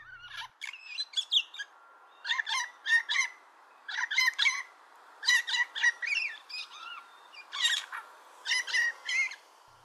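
A Blue Jay gives a laughing chatter: harsh, rapid clusters of scratchy notes in bursts of two or three, repeated roughly every second over faint hiss.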